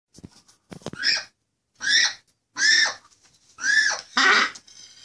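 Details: Baby macaw being hand-fed by a person; harsh, raspy squawks about half a second long, repeated roughly once a second in four or five bursts, with faint clicks between.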